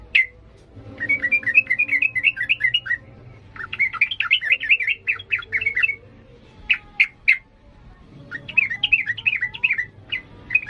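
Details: An excited sooty-headed bulbul sings in 'ngalas' style, used to train young birds: several runs of quick chirping notes, with isolated sharp clicks between the runs and a faint background hum.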